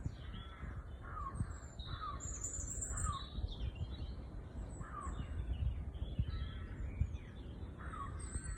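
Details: Small birds singing on a relaxing walk outdoors: soft downward-slurred chirps repeated about once a second, with higher thin notes above, over a steady low rumble of background noise.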